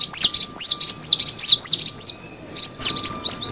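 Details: Cinereous tit calls for luring: thin, bright downslurred tweets at a brisk pace, a clear pause just after two seconds, then the chirping resumes.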